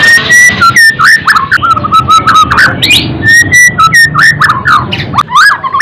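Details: Clear, mellow whistled notes from a white-rumped shama, sung to raise fighting spirit and emotion. Short slurs and held tones alternate with brief high flourishes.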